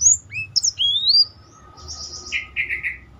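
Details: Black-throated canary singing to train other birds; long clear whistles rising in pitch, followed by a series of buzzy trilled notes descending in steps.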